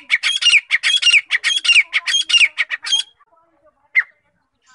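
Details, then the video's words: Rapid harsh calling of a grey francolin, or teetar: a dense burst of repeated rasping notes for about three seconds, then near silence with one isolated note and a final fragment. "Grey Francolin Sound | Francolin Calling | Grey Francolin Voice | Teetar ki Awaz"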